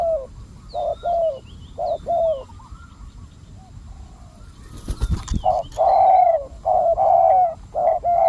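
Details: Decoy spotted dove luring wild doves: low coos in short bursts, a quiet gap broken by a sharp clatter, then louder, longer drawn-out coos; distant high whistles of other birds.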